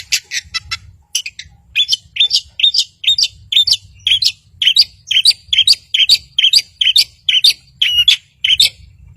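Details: Long-tailed shrike singing to provoke rivals and rouse mute birds. Scratchy opening notes lead into a steady run of paired, clipped chirps repeated roughly twice a second, over a faint low rumble.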